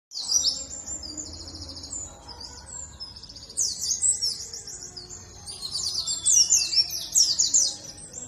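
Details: Warbling white-eye of the dakun type from Bondowoso, East Java, in a lure recording meant to make other birds sing along: rapid, high, thin chirping phrases of downward-sliding notes, dense and continuous, louder toward the end.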